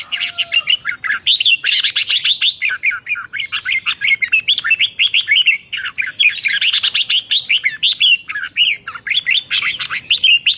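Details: Energetic Red-whiskered bulbul song of the 'rik' style, from 2023: a long, crowded stream of bright chirping and whistled phrases, sweeping up and down in quick succession, nearly continuous throughout with overlapping notes.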